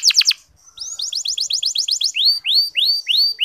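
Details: Local canary lure song for making reluctant male canaries sing: a short burst of fast notes, then a series of rising whistled chirps slowing into longer, ringing upward slurs.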